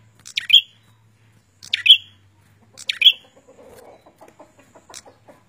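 A prinia gives three loud, sharp high notes about a second apart, followed by a lower, rapid ticking series of short clicks.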